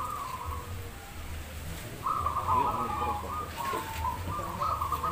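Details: At a zebra dove singing contest in Demak, Semarang, run by a local community of keepers, many doves coo at once in a steady, warbling chorus that swells halfway through, while people talk nearby.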